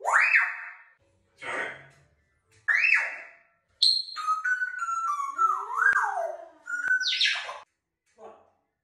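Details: Pet African grey parrot beatboxing indoors, taking turns with its owner: rough bursts and clicks, then a run of whistled tones stepping and sliding up and down, ending with a short gurgle.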